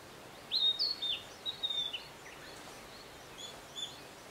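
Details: A Narcissus Flycatcher at Matsunoyama Onsen, Japan, sings a quick run of clear, high whistled notes swooping up and down, then a fainter short phrase, over a soft outdoor hiss.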